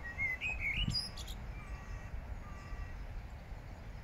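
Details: Song thrush singing in Regent's Park, London: a quick run of clear whistled, slurred notes in the first second, then a few fainter thin drawn-out notes, over a steady low rumble of background noise.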